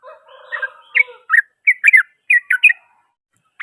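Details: Yellow-vented bulbul singing loud and harsh, provoking other bulbuls: short bubbly chattering phrases of quick rising and falling notes, in separate bursts.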